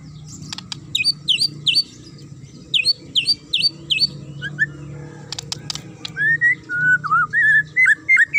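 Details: Provocative sharp song of a magpie-robin: a fast run of high, flicked chirps, some clicks, then lower whistled slurs rising and falling, repeated rapidly toward the end.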